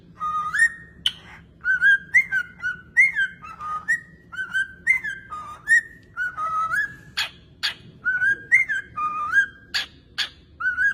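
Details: Pet parrot at home giving a long run of clear whistled notes, each phrase rising then levelling, repeated about every half second with brief sharp clicks between, over a faint low hum.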